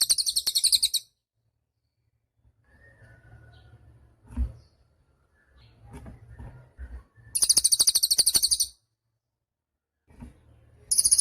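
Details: Cililin song for tutoring songbirds: short bursts of a piercing, fast-pulsed buzzy trill at the start, in the middle and at the end, with quieter low thumps and faint rustling between them.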